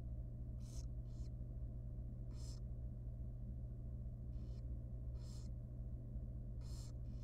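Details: Very young wild barn owl in a nest box during feeding time. Short, harsh hissing bursts come in loose clusters with gaps of silence, over a continuous low rumble.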